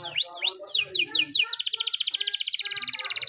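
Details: Canary training song in the morning from a champion master singer: looping upward-sweeping whistles, then descending slurs, breaking into a fast, even rattling trill repeated about two or three times a second.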